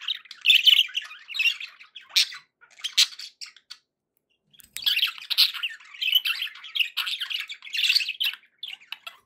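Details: Budgies chatter in squeaky warbles and sharp clicks, sporadic at first, then a near-silent stretch around 4 seconds before a steady run of chirping resumes.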